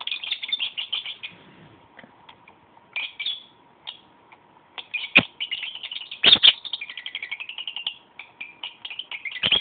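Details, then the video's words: Pet lovebird chattering to itself: rambling bursts of high chirps, squeaks and scratchy twitters with short pauses, a few sharp clicks, and a faint steady hum in the background. "the Lovebird talks to self"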